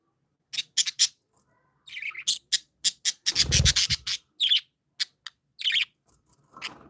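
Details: Happy pet budgies chattering: sharp clicking ticks and short scratchy chirps in quick irregular bursts, with a low rustle in the middle.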